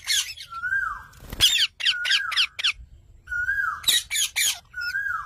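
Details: Parrot mixing raspy squawk bursts with long, level whistled notes that glide gently downward, plus one sharp knock or thump near the middle.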